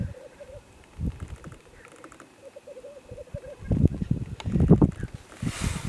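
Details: Black grouse at a site in mid-Wales, 17 February 2018, very early on a very gloomy morning, giving a soft, dove-like bubbling murmur in rolling phrases, with a brief hissing note near the end, over heavy low wind rumble.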